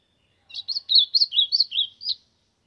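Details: Azulão, the ultramarine grosbeak, warming up its song in the sertão: a quick run of about eight rich, slurred whistled notes that alternate up and down, delivered in under two seconds against silence.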